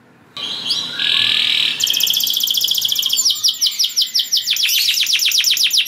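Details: Singing canary kept as a songbird, its song meant to stir other canaries into breeding mood and join in; a long steady trill gives way to fast repeated rising notes, then rapid descending strokes about three per second.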